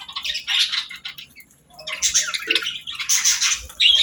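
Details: Pet parrot at the start of its morning routine, giving scratchy, squawking calls in short bursts separated by brief pauses, with a quieter gap near the middle.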